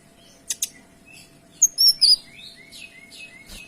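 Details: Kinoy delivering a clear tembakan phrase: a pair of quick high chips, a loud whistled flourish of sliding notes, then soft descending whistles trailing off.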